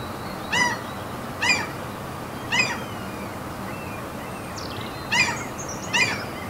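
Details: Seagulls at a fjord among mountains in Norway: harsh, strongly harmonic calls, each with a quick downward inflection, given at uneven intervals of about a second against steady low ambient rumble, with faint thin whistles from other birds.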